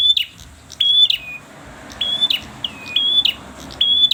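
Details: Red-headed bird singing insistently, with high whistled notes bending downward, sometimes into a longer falling tail, delivered roughly once a second over soft background hiss.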